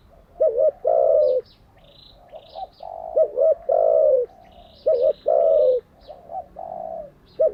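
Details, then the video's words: Spotted dove phrases for daily training of caught and decoy doves: soft double notes, each followed by a long, descending, throaty coo, repeated about three times. Light chirps from other small birds are heard above. "Tiếng chim cu gáy mới nhất, dùng luyện chim gáy bổi và mồi hàng ngày"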